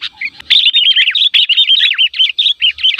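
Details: Sooty-headed bulbul lure call for attracting other bulbuls: continuous fast run of liquid, bubbly chirps and looping slurred whistles, nearly unbroken.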